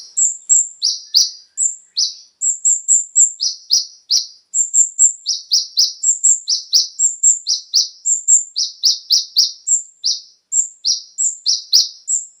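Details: Konin lure song for captive birds, rich in fillers: a steady chattering stream of very high short notes, paired sharp ticks and downslurred whistles, repeated rhythmically about four per second throughout.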